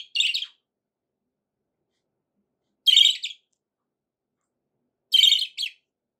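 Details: Budgerigar kept as a pet, cheerful short scratchy chirps at irregular intervals of two to three seconds, the last one doubled, otherwise quiet.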